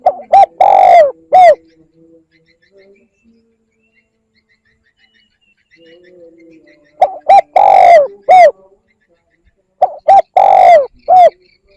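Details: Spotted dove luring call, three four-note phrases: two short coos, a long drawn-out coo sliding downward, and a brief closing note, with long gaps between them and a faint low hum in the pauses.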